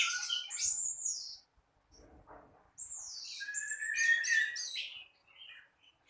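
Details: Morning song of an orange-headed thrush: loud bursts of sweet whistles and downslurred high notes, then a short quiet gap before a second excited, chattering phrase with sharp repeated notes.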